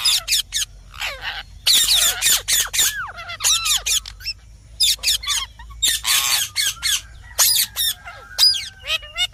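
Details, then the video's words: Green parrot calling busily: rapid harsh squawks mixed with short whistled notes that sweep down, in quick irregular bursts with brief gaps. "Mithu Ki Awaj"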